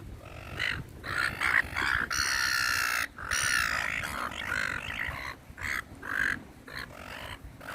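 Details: Gulls crowding for food in a park call repeatedly: harsh nasal squawks, some long and some clipped, in a busy irregular chorus over dull outdoor noise.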